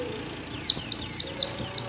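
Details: Morning song of a wild Oriental white-eye with a yellow chest, used to lure other white-eyes into song. Five high, slurred, descending notes in quick sequence after a brief quiet start.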